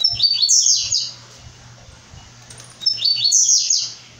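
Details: Blue-black grassquit in brown plumage repeating a high, buzzy, sizzling song phrase twice, about three seconds apart, with a faint steady low hum beneath.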